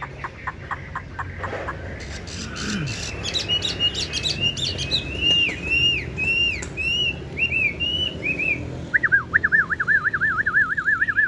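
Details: Caged tame Chinese hwamei with yellow legs and bill, known for a loud voice, starts with clicking notes, builds into repeated arching whistles, and ends in a long rapidly wavering whistled trill over low background noise.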